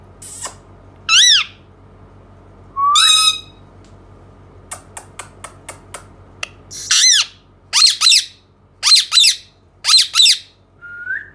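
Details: Indian ringneck parakeet alternating loud arched squawks, a buzzy note, a string of soft ticking clicks, then paired harsh calls in quick succession and a final short whistle.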